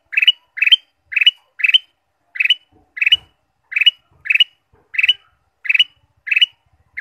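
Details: Ruby-throated bulbul singing as a stimulus recording for caged birds: eleven short, sharp chirping phrases repeated at a steady pace of roughly one every half second, in an otherwise quiet background.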